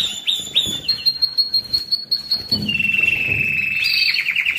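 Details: Canary song played to train and stimulate birds during the molt and rest stage, meant to excite males and prepare females for breeding: quick varied whistled phrases, sweeping notes and a steady trill near the end.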